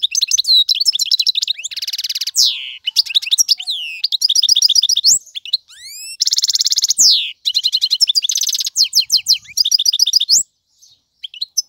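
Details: Male European goldfinch singing to tutor young birds: fast twittering phrases mixed with rapid buzzy trills and rising slurred whistles, high-pitched and continuous with short pauses near the end.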